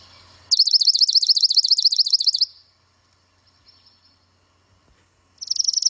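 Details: Swamp Sparrow singing from low in dense wetland habitat: a long, even, rich, liquid trill of rapid identical notes lasting about two seconds, then quiet, then the trill begins again.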